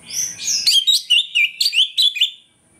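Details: Orange-headed thrush singing loudly in the morning, used as a lure to make other thrushes quickly aggressive; a rapid run of varied, slurred whistled notes, some rising and some falling, delivered in short bursts about every tenth of a second.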